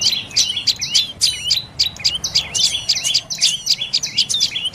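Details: Quick, sharp calls of a dark-necked tailorbird, roughly a hundred-plus notes a minute in uneven bursts, high and piercing, with soft hiss beneath.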